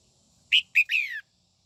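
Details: Female red-whiskered bulbul, singing at morning to stimulate white-cheeked males, gives two brief notes and then a drawn-out falling whistle, cleanly heard over light low rumble.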